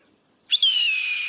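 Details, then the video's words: Red-tailed Hawk giving a single hoarse, drawn-out scream that starts loud and high, slurs slightly downward and trails off, the default sound used on TV for eagles and wilderness scenes. "there it is how many times have i seen a shot of a bald eagle and heard a red-tailed hawk"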